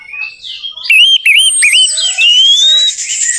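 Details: Orange-headed thrush song as a lure to coax a non-singing bird: looping whistled notes in quick succession, then a long smooth whistle gliding upward, with a high thin whistle behind.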